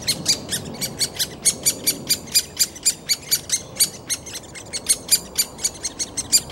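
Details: A great spotted woodpecker chick being fed in Bystrzyca Valley Landscape Park begs with harsh, high, scratchy chirps, about four a second in an uneven, insistent stream, over a faint low rumble.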